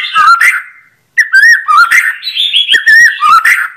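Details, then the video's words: Loud white-rumped shama song with clear sound: fluty whistled phrases, each rising and falling, repeated in quick succession after a short silence, mixed with a few crisp clicks. "Kompilasi Kicau Burung Murai Batu"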